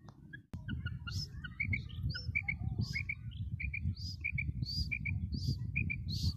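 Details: Female common quail's high paired notes repeated steadily, mixed with higher chirps from other birds over a constant low rumble.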